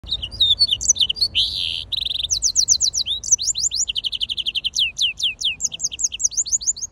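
A green singer and yellow-fronted canary hybrid sings a fast, bright warble of sweeping whistled notes.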